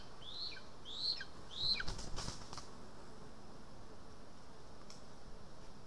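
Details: {'caption': 'Lesser spotted eagle at a nest in Estonia, 2 August 2020, on a day of vole feeding. Three thin high whistles that rise then fall open the clip, followed by loud wing flapping and rustling.'}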